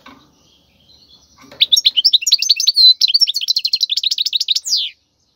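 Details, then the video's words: Wild European goldfinch song played to train fledglings: after faint low clatter, a dense burst of rapid, tinkling twitters and short trills runs for about three seconds, ending with a descending nasal note. "تغريد الحسون البري لتدريب الفراخ"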